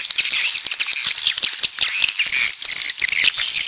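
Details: Coastal swiftlets from the south give a dense, high, dry chittering of rapid twitters and buzzy squeaks, overlapping almost without pause, like a busy flock calling together.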